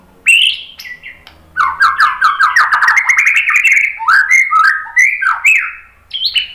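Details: [2, 'White-rumped shama singing, used as a lure to make other birds answer and sing: quick series of bright slurred whistles stepping up and down, with clicking notes woven through, after a short pause.']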